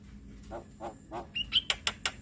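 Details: Young Javan myna giving calls used to prompt young birds to sing: three soft, low croaks, then a bright whistle and a run of sharp, clicking notes.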